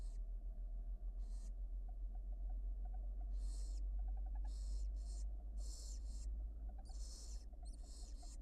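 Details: Owlets of a wild barn owl begging in the nest as their mother feeds them at the University of Florida, captured by nest camera. Rapid, overlapping hissing screeches come in quick succession, with faint soft ticking between them and a low background hum.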